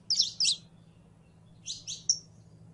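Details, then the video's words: Female canary in heat calling a male to mate: two quick pairs of high, sharp chirps, a pause, then three more bright chirps, over a faint low hum. "HEMBRA EN CELO LLAMANDO A MACHO CANARIO PARA APAREARSE"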